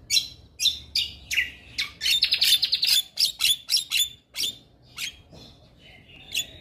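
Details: Male Javan myna song, white-eyed, meant to trigger other birds: high buzzy chattering notes in quick series, a rapid trill in the middle, then sparser calls.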